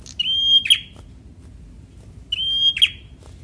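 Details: Semi-young Bar-winged prinia, a fighter-type bird, singing to provoke lazy birds into song: two phrases about two seconds apart, each a steady high thin whistle ending in a sharp buzzy, scratchy note, in a quiet background.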